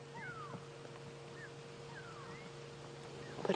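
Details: Go-away-birds calling to each other on a sunrise safari drive in South Africa, not an alarm call: a few nasal, drawn-out, downward-sliding calls, rather faint, over a steady low engine-like hum.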